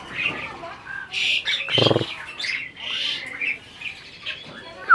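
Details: Asian pied starling breeding bird appearing to talk: bursts of hoarse, hissy chatter with a short harsh, voice-like blast in between and a quick rising squeak at the end.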